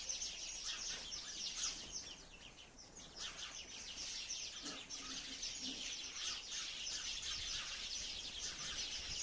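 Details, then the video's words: Sparrows in a forest give a dense, continuous chatter of short, high cheeps, several birds overlapping at about three notes a second, with faint low background noise. "Real sound of beautiful sparrow"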